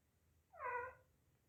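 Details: Pet parrot meowing like a cat, a habit picked up from the household kitten that meows a lot: a single soft, drawn-out meow lasting about half a second in a quiet room.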